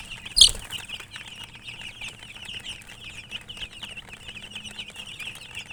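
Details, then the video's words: Young chickens chirping in fast, thin, repeated peeps, opening with a sharp loud click or tap, then an even run of high chatter over a quiet background. "Chicks Chirping" Sound"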